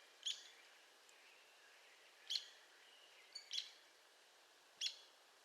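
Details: Arizona woodpecker calling with sharp, high, abrupt notes spaced one to two seconds apart, four notes in all, with faint background hiss.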